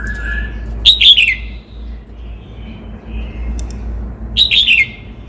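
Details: Cao Bằng red-whiskered bulbul, Vietnam, gives two bubbling warbled phrases roughly three and a half seconds apart. A soft whistled note precedes them, amid faint background bird calls.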